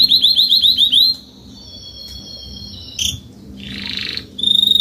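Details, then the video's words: Salsa-style song from an adult Spanish Timbrado canary: a quick run of bright repeated slurred notes, then a thin sustained whistled roll, a brief break, a soft hissing passage and a renewed trill. "CANTO CANÁRIO SALSA ESPANHOL/ESPANHOLINHA"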